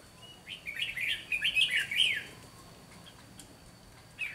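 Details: Fighting song of a decoy red-whiskered bulbul during trapping in Vietnam: a rapid two-second string of chattering, whistled notes, then a pause and a short final burst, with light outdoor background noise.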